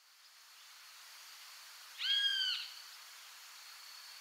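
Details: A single harsh, nasal Great Kiskadee note from Argentina, about half a second long and fairly level in pitch, over a steady background hiss.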